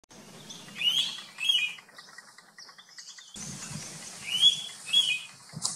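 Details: Indian pitta at Vansada National Park, India, giving loud, clear two-note whistles, the pair repeated after a short pause, with fainter bird chatter and a low hum behind.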